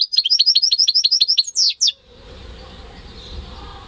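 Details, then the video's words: Home-bred goldfinch mule singing alone, with no male canary kept, in May 2015: a quick string of about a dozen high chirps ends in two drawn-out swooping notes, followed by faint background hiss. "Saka Melezi Ötüşü"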